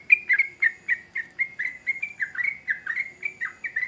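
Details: Rapid chatter from a sooty-headed bulbul: crisp chirps about four per second, some dropping in pitch, others flat and whistled, kept up steadily throughout over a faint low murmur.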